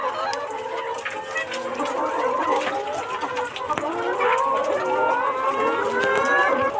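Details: A layer hen farm of about 1,500 hens in Ujirpur, Barishal, Bangladesh: a dense chorus of many hens clucking and squawking at once, overlapping short nasal calls in a steady busy din with no clear gaps.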